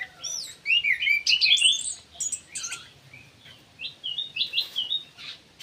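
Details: Aviary ground thrush in full song, pouring out slurred, warbling whistles and quick sweeping notes, then a pause before a short series of bright repeated phrases.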